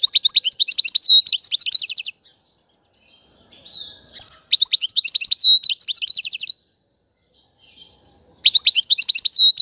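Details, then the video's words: European goldfinch twitter used to stimulate males, with mating and readiness calls meant to make a male sing and break his silence: bursts of bright, tinkling twitters and fast buzzy trills about two seconds long, separated by quiet gaps. "goldfinch twitter تغريد الحسون"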